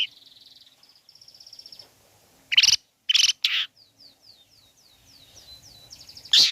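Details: Long-tailed shrike song used as a provoking call for other shrikes: a thin rapid trill, loud harsh rasping bursts, then a series of downslurred whistled notes repeated evenly.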